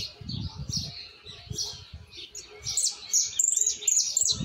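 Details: Juvenile Argentine white saffron finch singing its still-developing misisipi style: fast chattering high notes building into thin, sharp whistled trills near the end, with low rumbling noise and a faint constant tone behind.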